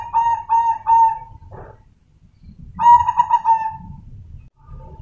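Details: Zebra dove (perkutut), a crossbred bird from a coloured parent but with normal colouring, gives three quick rolling mid-pitched coos, a pause, then a longer trilled cooing phrase, over faint low rumble.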